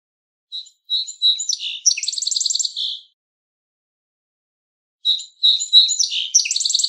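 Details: Song sparrow singing twice, each song opening with several short whistled notes, then a fast, buzzy trill of rapidly repeated notes; the songs are about five seconds apart with clean silence between them.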